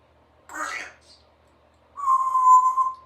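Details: Female Congo African grey parrot, three years old, kept as a pet in a country home, practising words and sounds: a brief voice-like squawked syllable, a pause, then a sustained, steady whistled tone lasting about a second.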